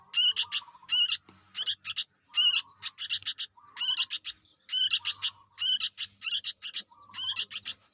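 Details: Young sooty-headed bulbul, calling for use as a bird-catching lure: rasping, buzzy notes in tight doublets and triplets, roughly two groups per second, with a soft low hum beneath.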